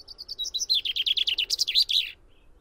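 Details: Common chaffinch singing a full phrase: thin high opening notes lead into a brisk, evenly spaced trill of descending chips, ending in an emphatic, looping terminal flourish; quiet background.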